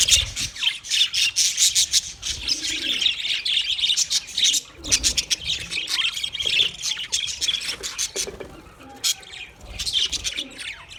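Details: Budgerigars chirping in a busy group: dense, overlapping high chirps and scratchy warbles pour out almost nonstop, with brief dips and faint low murmurs beneath.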